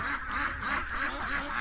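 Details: Domestic ducks in a morning pen quacking steadily, harsh nasal calls blending into a continuous chorus with no gaps.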